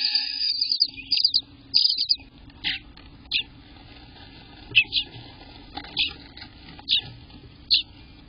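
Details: Eastern bluebird nestlings in the nest on day 18, June 24th, 2021, giving short raspy high chirps, a cluster at the start then single scratchy notes about every second, over a steady low hum.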